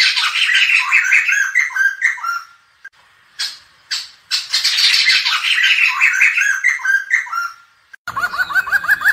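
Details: Black-hooded laughingthrush with raucous, chattering, squealing outbursts of overlapping harsh notes and short pauses, ending in a run of quick, hooked whistles.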